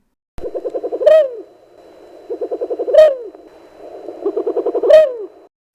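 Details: Southern white-faced owl (Ptilopsis granti) call: a fast, stuttering run of soft hoots ending in a stronger rising note, repeated three times about two seconds apart.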